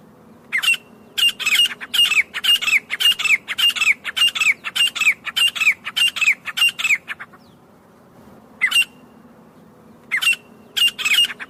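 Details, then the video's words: Grey francolin call recorded in jungle, a long series of loud, grating, high notes, each with a short downward-sliding whistle, repeated steadily for about six seconds. After a gap come a single note and a few further paired bursts. "Acha Teetar Ki Viral Awaz 2026 | Real Desi Teetar Calling Sound | Teetar Hunting Voice"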